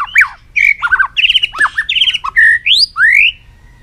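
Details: Loud, varied song of a white-rumped shama, many-voiced long-string style: rapid harsh chattered notes mixed with clear whistles and rising slurred phrases, delivered with short gaps.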